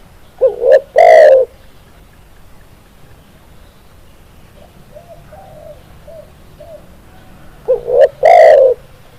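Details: Spotted dove (tekukur) tutor song. Two cooing phrases about seven seconds apart, each a double rising coo and a long loud coo. Faint soft notes are audible in the pause between them.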